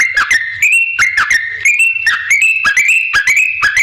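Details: Lively yellow-vented bulbul song meant to provoke other bulbuls into calling: bubbly whistled phrases that step up and down in short rising slurs, delivered continuously with sharp clicking noise between notes.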